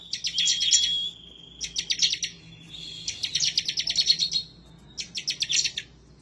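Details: An excited bar-winged prinia pours out song meant for challenging a rival. A thin, sustained whistle opens, followed by three chattering volleys of sharp, evenly spaced ticks.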